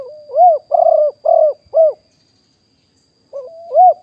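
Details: Wild spotted dove recorded live in 2021 at Nong Khu Phai as a decoy caller: a short rising lead-in, then a run of arched, mellow coos, some with a rolling burr, a pause, and a fresh series beginning.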